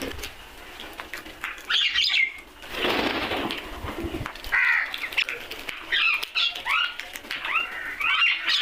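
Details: Crows calling and making noise among other birds; several harsh, harmonic squawking calls in short bursts, with a broad rushing noise near the third second and further rising-falling calls toward the end.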